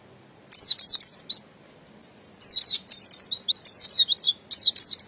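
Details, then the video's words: Buxton's white-eye singing in the ngalas style: a quick burst of high, thin descending whistles, a pause, then a longer run of sweeping, slurred high notes tumbling one after another. "Pleci Buxtoni Bahan Pasti Cepat Bunyi Ngalas"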